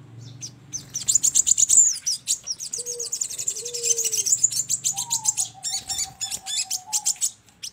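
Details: Lure for trapping with sogon calls: continuous fast high chirping and trilling, joined by short lower whistled notes and a long level whistle, over a low hum early on.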